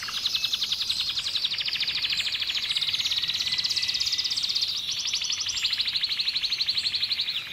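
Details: A red canary sings a long, continuous high trilling song of rapid, buzzy repeated notes, with tours changing pace several times across the whole stretch.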